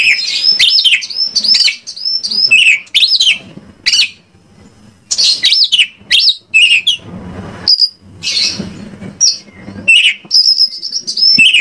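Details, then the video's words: Indonesian white-rumped shama singing, a recording meant to lure others into song: a dense, varied stream of bright whistles, quick up-and-down slurs and chattering notes, with a few short gaps. "PANCINGAN KACER AGAR ON MAU NGOBRA !! KACER MANAPUN PASTI LANGSUNG NYAUT"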